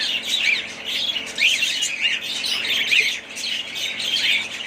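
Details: Budgerigars in a family group squawk and chirp, bursts of harsh high chatter rising and falling roughly every second among overlapping warbles.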